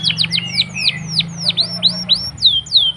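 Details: Singing canary, a lure for birds that will not sing, delivers a string of falling slurred whistles at an uneven pace, with a constant low hum behind.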